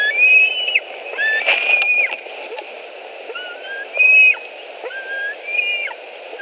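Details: Eaglet of white-tailed eagle at its Latvian nest, 25 July 2018, with carrion delivered; a series of thin, high whistles and brief slurred notes, repeated at intervals over soft background noise.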